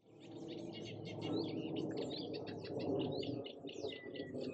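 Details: Eurasian reed warbler at Echinger Stausee in May 2024, singing a steady, chattering run of scratchy, repeated notes, with a dense low rumble of background noise underneath.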